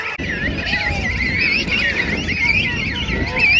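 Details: Huge King Penguin colony at Right Whale Bay, South Georgia, on Christmas morning 2008; shrill wavering calls overlap densely, rising toward the end, with a faint human voice in the background.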